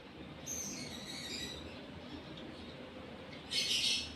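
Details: Shrill, chattering phrase of a gara lovebird in breeding condition, drawn out over about a second, followed by silence and then one short, very loud, high scratchy burst.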